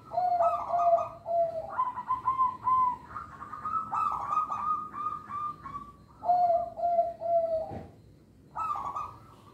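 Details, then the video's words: Local zebra dove song meant to attract young birds and coax quiet birds into singing: long rolling phrases of staccato mellow coos stepping up in pitch, pausing, then repeating. "Perkutut Lokal Suara Istimewa, Pemikat Bakalan"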